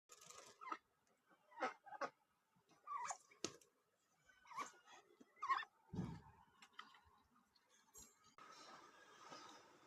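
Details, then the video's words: Pet duck kept at home, calling sweetly after a bath: a string of short, soft, slightly nasal notes in separate bursts about a second apart, one dull thump near the middle, then a steady hiss at the end. "jacyduck making sweet sounds after taking bath"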